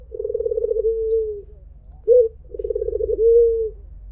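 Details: A white Barbary dove gives its 'mpuk jeruuu' cooing. A vibrating, rolling coo flattens into a smooth falling tail, then a brief sharp 'mpuk' precedes a second identical coo, with low background rumble.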